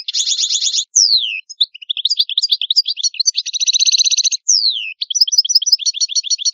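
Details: Italian goldfinch in full song: dense buzzy rattles alternating with descending whistled slurs, tinkling twitters and fast repeated trills, continuous and loud throughout.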